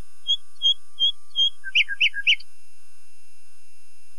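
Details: A common nightingale gives four clear whistles, then three loud, harsh, stacked chirps interleaved with softer low notes, ending abruptly in silence.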